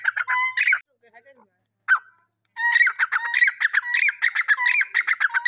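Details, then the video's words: Francolin phrases with harsh squawky notes and steady whistled tones, broken by a silent gap of about two seconds, then resuming as a rapid, rhythmic series of grating, clucking repeated phrases. "amazing teeter sounds"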